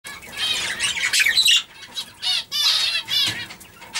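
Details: Young budgerigars in a cage giving scratchy, high chattering calls and squawks in uneven bursts with short pauses.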